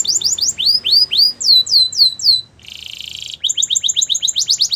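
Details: Training song of a Spanish Timbrado canary, with clear down-curving whistled notes repeated about every quarter second, a buzzy rattling roll, then quick paired chips.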